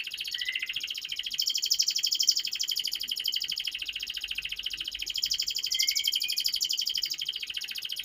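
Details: Canary tutor song meant to prompt young canaries to sing fast: dense, unbroken rattling trill sustained throughout, layered high tones with a few soft rising whistles, faint background hiss.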